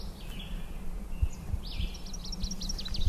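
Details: On a short summer hike in Maine, a Northern Waterthrush sings a really loud, shrill run of sharp ringing notes that quickens near the end, over a steady low rumble, with a thinner bird sweep earlier.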